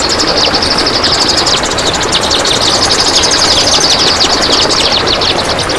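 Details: Kapas tembak song for training other birds, delivered in a long close-packed burst: quick high notes repeated about three times a second in a chattering run, with a steady hiss behind.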